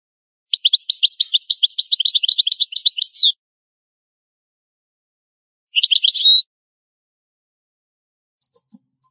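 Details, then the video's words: European goldfinch, old recording of the original song style: a long run of rapid, rhythmic twittering notes, then a shorter burst and a few faint high chips near the end. "شريط نادر للغة الحسون الاصلية Chant chardonneret ancien"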